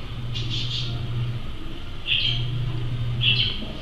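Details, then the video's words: Acorn woodpecker (Melanerpes formicivorus) recorded in Pereira on 06/08/2023 gives three short, harsh, raspy calls spaced about a second apart, over a steady low engine-like rumble. "Canto del Melanerpes formicivorus / Carpintero Bellotero /Carpintero de los Robles"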